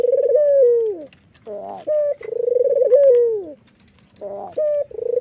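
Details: Barbary dove, white with red eyes, nods while giving its laughing call. A brief flat note precedes a long vibrating coo that bends down at the end. The pair comes twice in close succession.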